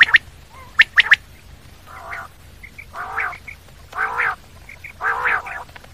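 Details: Common quail gives a couple of quick three-note bursts, then several nasal, buzzy mid-pitched calls spaced about a second apart, with soft high chirps between them.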